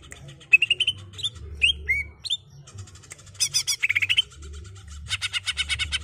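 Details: Greater green leafbird singing in the rolling ngerol style, used as sound therapy for untrained birds: rapid varied chirps, short rising whistled notes and bursts of dense buzzy chatter, with a steady low hum behind.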